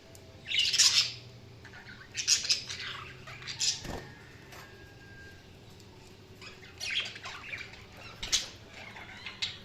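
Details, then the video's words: Budgerigar giving scattered harsh, high chirps and squawks in uneven bursts, with soft scratchy twitters and a couple of sharp clicks between them. "Budgies Chirping sound"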